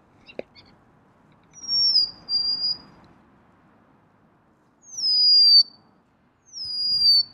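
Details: Three drawn-out, falling whistled phrases from a golden-crowned sparrow, each sliding down and leveling off, with a soft low rumble of background noise and a single sharp tap near the start.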